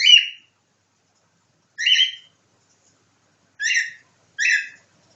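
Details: Pet cockatiel copying a nightingale: four short, bright, harmonic-rich chirps, two spaced alone and two close together at the end, separated by silence.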